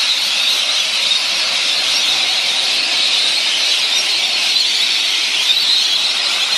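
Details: Rainbow lorikeets chattering together, recorded 25 March 2014: a steady wash of shrill, screechy calls from many birds at once, a dense high hiss of overlapping calls with no pauses.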